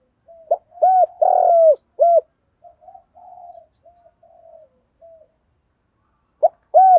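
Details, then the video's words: Spotted dove used as a decoy, giving its morning luring call: a low cooing phrase of short hollow notes with one drawn-out rough coo, followed by quiet soft murmuring, then the phrase starting again. "tiếng chim cu gáy mồi gáy gọi buổi sáng"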